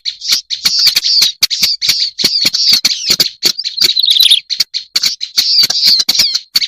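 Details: Harsh grating chatter of a black-browed reed warbler used as a bird lure. Buzzy rasping phrases are punctuated by crisp ticks, with a short high squeaky flourish about two-thirds through.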